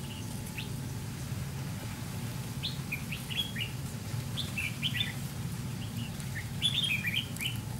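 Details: Red-whiskered bulbul, white-cheeked, a wild bird drawn to a decoy in a fight trap: scattered quick chirpy slurs building into a busier run of warbled notes near the end, over low steady noise.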